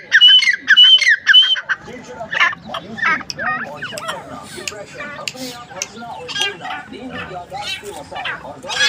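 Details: Grey francolin, called teetar, gives a short run of loud, ringing whistled notes at the start. A long stretch of busy, chattering background sound with scattered squeaks and voices follows.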